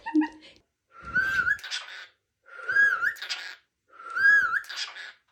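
A cockatiel repeats a clear whistled phrase that wavers at the end, each followed by a brief wheezy rasp.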